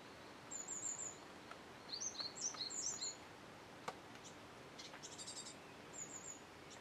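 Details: Japanese tit fledglings, fledged the day before and still in a nearby tree the next morning (5 July 2013), beg from a parent bringing food with thin, very high, squeaky notes in bursts of three or four.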